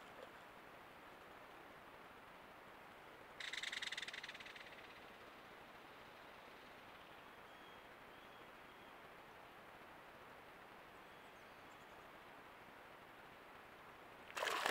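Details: At a trail cam near water level on an old, mostly drained beaver pond in central Alberta, a Belted Kingfisher gives one harsh, dry rattle lasting over a second against steady hiss; a brief loud noise closes the recording.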